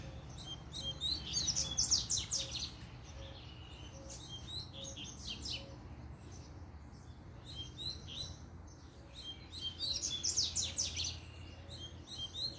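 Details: Double-collared seedeater singing and challenging rivals to fight: bursts of high, rapid, twittering and buzzy notes in phrases at the start, middle and end, with pauses between, over a low steady hum and a faint repeated beep.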